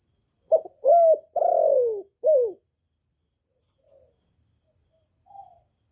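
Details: Vietnamese spotted dove in a calling, urging and cooing style meant to get newly caught doves singing: a four-note low phrase, a short stuttered coo, then two long sliding notes and a falling final note, under faint steady high ticking.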